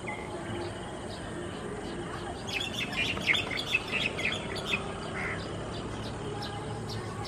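A Baya weaver gives a few seconds of rapid, high, sputtering chirps and chatter over a steady background hiss.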